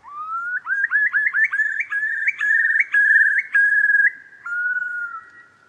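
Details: Eurasian curlew giving a bubbling sequence: a low whistle sliding upward, then a quickening string of rising, upslurred notes climbing in pitch, settling into level whistles and fading on a long drawn note.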